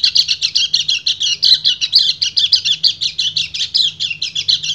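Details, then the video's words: A male white-eye delivers ngecir song, a fast, nonstop stream of high chirps and twitters meant to call a female in breeding condition. The notes come in even, rapid bursts throughout. "PLECI GACOR NGEBREN - KECIAL KUNING BIRAHI MEMANGGIL BETINA"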